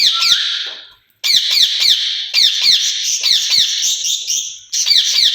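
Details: A caged pair of ringneck parrots, said to be talking to one another in Urdu or Hindi. Loud, harsh screeches are repeated in fast bursts, separated by a brief silence, with one short whistle early on.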